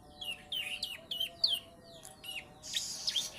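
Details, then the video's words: Three-month-old young bar-winged prinia tutored with ciblek song: short sharp chirps and downward-sweeping high whistles in irregular bursts, ending in a harsher buzzy burst, over a steady low hum. "PRENJAK PAUD USIA 3 BULAN. ISIAN CIBLEK"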